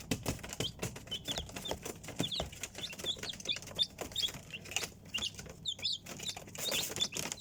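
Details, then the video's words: A group of chicks peeping, scattered high downward-sliding cheeps among scratching and rustling noises. "Цыплята / chickens"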